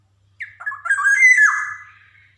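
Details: Black-naped oriole from Java singing vigorously with varied, rhythmic phrasing, meant to coax young birds into song: one mellow slurred whistle, wavering then rising and falling, about two seconds long, over a faint low hum.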